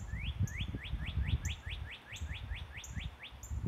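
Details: Bird song at sunrise: rapid repeated upward-sweeping whistles, about four per second, with faint high thin notes above and low rumbling handling noise underneath.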